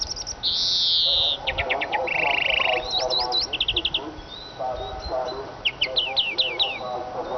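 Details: Eurasian siskin song: a long, high, buzzy wheeze, quick rattling trills and a lower buzzy note, then sharp descending chirps, with a murmur of lower chattering sounds underneath.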